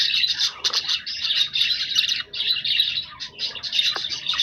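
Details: Pet budgerigars chattering: steady high warbled and scratchy notes run together in a continuous stream, several birds calling at once.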